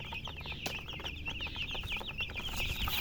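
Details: Chicken chicks chirping together: a dense flock of high, short peeps overlapping continuously, with a low rumbling background and soft thumps.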